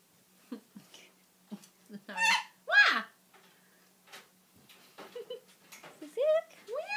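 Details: An excited pet Goffin's cockatoo gives loud, harsh squeals in two bursts, then shorter rising squawks, while a person talks softly to it indoors.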